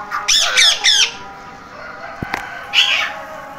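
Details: Three quick, loud, harsh parrot squawks, then a pause with a couple of clicks and one final rasping call.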